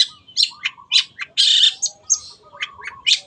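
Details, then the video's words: Long-tailed shrike (cendet) singing vigorously for kept-bird training: a varied jumble of high, harsh notes, including one long rasping buzz, mixed with short whistled and chipping sounds. "MASTERAN BURUNG CENDET GACOR"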